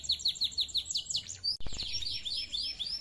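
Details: Canary singing clearly: a quick run of evenly spaced descending chirps, a short clicking break, then a dense rolling warble of high notes.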